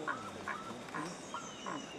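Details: Endemic Cauca guan (Penelope perspicax) at Otun, Central Andes, Colombia, gives five short, nasal honking notes, about one every 0.4 seconds, over a soft high hiss of forest background.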